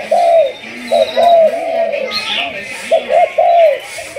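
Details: Spotted dove from Malaysia, thúc gù song style, in decoy training, delivering repeated mellow coos with a drawn-out falling final note, over a low humming background and occasional faint voices.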